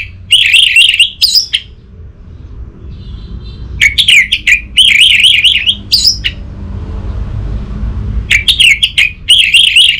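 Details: Orange-headed thrush lure song for coaxing a silent bird to sing: warbling, wavering high phrases with quick clicks, repeated in three bursts spaced by quieter pauses, over faint low background noise.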